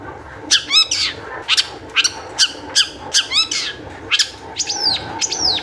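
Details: Long-tailed shrike singing as a lure for other shrikes, delivering a series of sharp, buzzy, stacked high notes roughly every half second, ending with two long downward-sweeping squeals.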